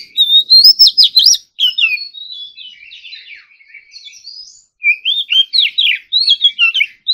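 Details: Oriental magpie-robin, competition-style morning song: a loud run of slurred whistles and clicks fades into a long, soft, buzzy warble, then bright looping whistled phrases return at full strength.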